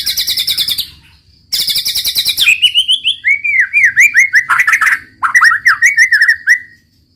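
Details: White-rumped shama, described as a gacor singer, delivering harsh rattling trills followed by a run of clear looping whistled notes, mixed with short scratchy chips, ending in a sustained whistle.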